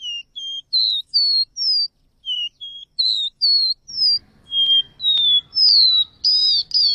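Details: Seedeater singing a steady series of short, clear whistled notes alternating between lower and higher pitches, then louder sliding whistles and doubled notes; a faint low rumble joins in the second half.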